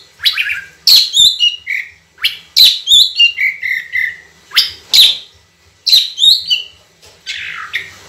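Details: Oriental magpie-robin (kacer) in lively training song with long, clean phrases. Rapid sequences of loud whistles swoop downward into lower sliding notes, repeated as four bursts within eight seconds.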